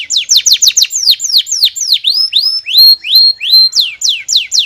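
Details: Canary singing, used for training other canaries: rapid descending whistled sweeps that give way to longer rising slurred whistles, then quick downward notes again.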